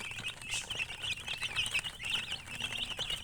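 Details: A crowd of chicks peeping, quick high wavering chirps overlapping densely, a few louder notes standing out, with faint tapping and rustle.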